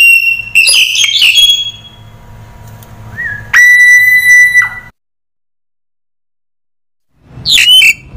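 A crested myna mixes harsh, scratchy chatter with a long, level whistle held for about a second, then a dead pause before one more rasping note.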